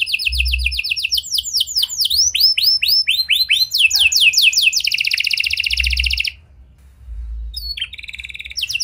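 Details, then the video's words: Actively singing canary, unique cengkok style, recorded to prompt silent canaries into song: a series of swooping, rising whistled notes speeds into a tight rattling trill, breaks off briefly, then short chirps follow. "Buat Kenari Macet Anda Respon Dengan Suara Pancingan Kenari Gacor Ini! Kenari Gacor Cengkok Unik"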